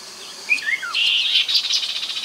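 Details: Chestnut-capped babbler, Mekong bank at Nakhon Phanom, Thailand, 2021, lure sound: a few short downslurred whistles leading straight into a loud, dense buzzy chatter.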